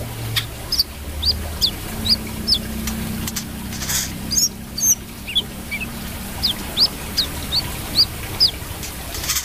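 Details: Brown-throated sunbird singing: short, sharp high chirps, some with quick upward flicks, given in loose irregular runs with brief pauses, over a steady low background hum.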